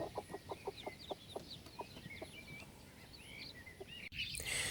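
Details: A broody Buff Orpington hen returns to the coop as rain starts and gives quick, low clucks, several a second, calling her chicks to follow. The chicks answer with high, sliding peeps, and a burst of noise ends it.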